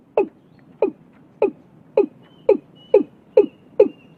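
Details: Vietnamese watercock recorded early in the year, giving a quick run of deep, downward-sliding knocking notes, roughly two per second, steady and even, with a faint high whistle threading between them.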